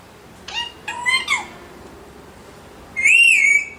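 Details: Alexandrine parakeet: a few short squawky notes with harmonics around the first second, a pause, then one long, loud arched whistle.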